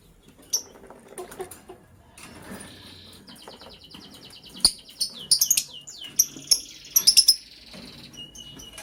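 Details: Lovebirds in the morning, a green one chirping while a blue one scrambles for vegetables; scattered sharp chirps, then a rapid trill of short repeated notes and bright clustered chirps toward the end, with soft clicks and rustling.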